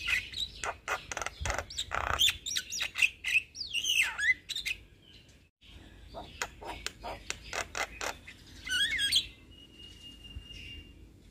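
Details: Young Javan myna in strong song, recorded for tutoring and stimulating all kinds of mynas: fast chattering bursts mixed with twisting whistles, a short silence midway, more chatter, then a long steady whistled note.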